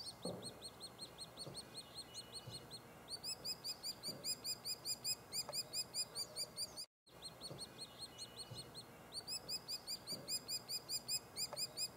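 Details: At a nest cavity in Lassen Volcanic National Park, a White-headed woodpecker nestling chirps louder as a parent arrives to feed. Rapid, bright, evenly pulsed chirps come in dense runs, broken by one short silent gap.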